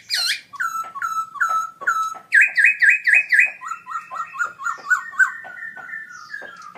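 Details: ['Caged black-throated laughingthrush singing very loud at an October 2016 birdsong contest where it won gold: steady series of clear downslurred whistles, then rapid bright doubled notes stepping between two pitches in a lively repeated rhythm.']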